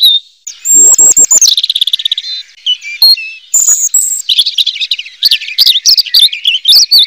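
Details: Robin singing a fast, varied song of clear whistles, trills and warbled phrases, high and bright, with a few short sharp click-like notes early on; almost no pauses and no other sounds heard.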